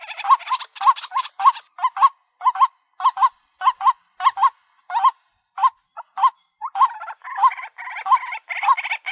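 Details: Honking, nasal notes of a white-breasted waterhen lure call come in quick pairs and singles, each with a short rising tone, the rhythm loosening and turning rougher in the final seconds.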